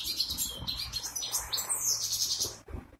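A goldfinch hybrid sings a quick, high, twittering run of tinkling notes and buzzy trills that sweep up and down without pause, over a faint low hum.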